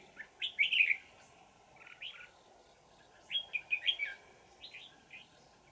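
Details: Wild red-whiskered bulbul with a bell-like twisting forest voice, recorded during decoy trapping on 20 December 2018: two bursts of rapid bright whistled warbles separated by softer chirps.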